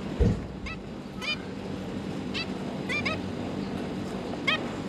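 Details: Captive zebra finches with three juveniles just out of the nest, parents busy feeding them; spaced nasal, stacked-harmonic calls roughly every second, a thud near the start, and low hum throughout.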